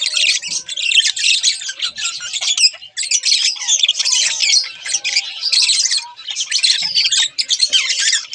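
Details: A pair of budgerigars chattering: dense, scratchy warbling with rapid chirps and squawky notes, almost continuous, with one short pause near the third second.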